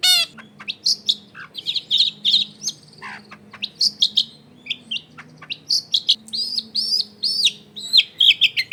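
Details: A lively long-tailed shrike sings to lure others into singing, recorded in a densely populated neighbourhood: a mix of scratchy chatter, high trilled notes and short whistled slurs, delivered in fast busy bursts over a faint low hum.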